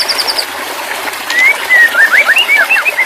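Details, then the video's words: Song of a white-rumped shama, used as therapy audio for a stressed bird that has stopped singing: a short high trill, a quiet gap, then a series of clear rising and falling whistled slurs. "terapi burung murai batu stress/ macet bunyi auto bunyi kembali"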